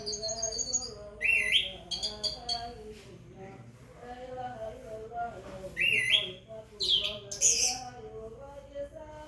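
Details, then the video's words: Orange-headed thrush responding to the call to prayer or Quran recitation with two separated bursts of loud, sweeping whistles, while a chanting voice runs continuously in the background. "Anis merah sholeh..asal demgar suara adzan atau orang mengaji langsung gacor"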